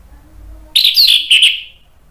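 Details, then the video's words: Orange-headed thrush in full song, used as a lure to prompt other birds to sing, gives a brief burst of loud, high, scratchy warbled notes lasting about a second, trailing off into a thin whistle. "PANCINGAN ANIS MERAH biar ikut NYAUT jadi BUNYI GACOR NGEPLONG"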